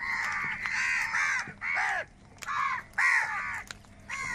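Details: Crows of a large flock fighting for food give hoarse, drawn-out caws, some calls bending downward, in bursts separated by brief pauses.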